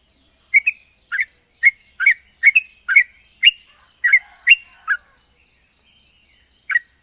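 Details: Yellow-vented bulbul delivering 'ropel' song that provokes other bulbuls to answer: clipped paired whistles, mostly upslurred, in a quick series for about four seconds, then a pause and a final note, with steady background hiss.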